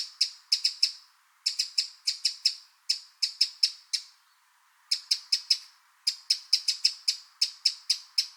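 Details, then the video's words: Eurasian wren recorded in the wild giving hard, dry ticking call notes in quick bursts of three to five, with short pauses between bursts. "Eurasian Wren Sound – Song & Bird Calls"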